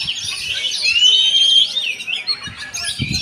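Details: Bright, fast oriental magpie-robin song with a long sweeping whistle in the middle, surrounded by rapid chirps, plus a few low thumps at the end.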